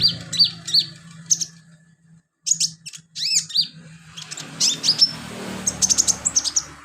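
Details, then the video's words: Sunbird singing vigorously as training filler song: varied very high chirps, upward-flicking whistled notes and rapid twitters in quick succession, with a low hum and rising background noise in the second half. "BURUNG KOLIBRI/CONIN GACOR buat isian"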